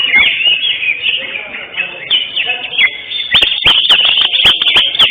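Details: Caged greater green leafbird, first-place winner at a songbird contest held 11 October 2025, delivering rapid high whistled and chattering phrases that rise and fall, with sharp clicks toward the end and a murmur of people behind.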